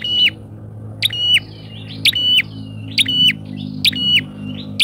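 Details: Bar-winged prinia lure recording used to attract wild prinias, loud and vigorous, so strong that wild birds dare not approach: a sharp high note, then a descending buzzy whistle, repeated about once a second over a low hum.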